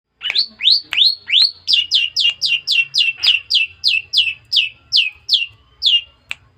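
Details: Young long-tailed shrike, a bird raised from a chick some months ago, now beginning to sing: a fast run of about nineteen bright notes that slide downward, repeated roughly three times per second, with a faint low hum behind.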